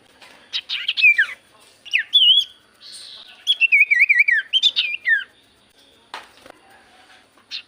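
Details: Javan white-eye song used as a lure for silent birds: falling whistled notes and grating bursts, then a quick descending wavy trill, followed by scattered soft chips.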